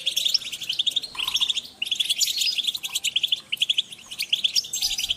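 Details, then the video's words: Group calling of European goldfinches, aimed at motivating birds: rhythmic series of bright high chips in quick succession, broken by short pauses, over a soft background hiss. "Group calls for goldfinch"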